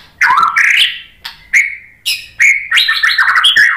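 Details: White-rumped shama singing a provoking lure song to spur other shamas on: rich rising whistles, brief clear notes and a final busy, warbling run of varied phrases.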